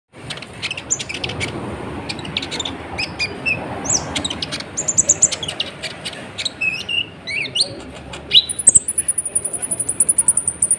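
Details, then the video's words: Brown-throated sunbird in lively, nonstop song, used as a lure to stir up other birds. A dense run of thin, very high chirps and short sharp notes, ending in a fast, even trill of high ticks. "PANCINGAN KONIN GACOR, AMPUH BUAT MENAIKAN EMOSI BURUNG"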